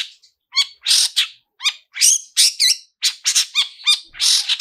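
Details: Shrike lure song, the 'toet toet' type with elaborate fill-ins, played to set other long-tailed shrikes singing: sharp stacked chirps and harsh buzzy bursts, delivered in short spaced clusters.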